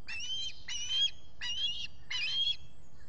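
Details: Osprey calling from its nest at Salt Point, Finger Lakes, US, on a July 2021 morning: four drawn-out, harsh, whistled squeals at an unhurried pace over low background noise.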